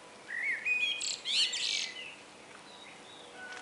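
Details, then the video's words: Common blackbird singing in the morning: a short phrase of low, fluty whistle rising into a burst of high, squeaky twittering, then faint whistles. "ΤΟ ΤΡΑΓΟΥΔΙ ΤΟΥ ΚΟΤΣΥΦΑ"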